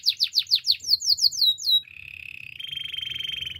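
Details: Belgian canary singing in the morning, several loud descending whistled slurs followed by a lower buzzy rolling trill that continues steadily to the end; faint low background hum.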